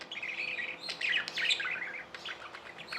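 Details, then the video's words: Tame budgies chatter continuously in a busy, scratchy warble of rapid chirps and buzzy notes, rising and falling in loudness with no real pause. "Budgies | Talking | Singing | Chirping sounds"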